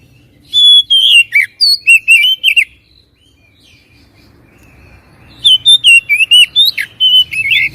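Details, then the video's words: Oriental magpie-robin song played as a lure to provoke a reluctant bird to sing: loud, rich whistled phrases mixing sweeping notes and rapid chattering trills, in two bursts separated by a quiet gap of about two seconds. "PANCINGAN BURUNG KACER MALAS BUNYI DIJAMIN NYAUT"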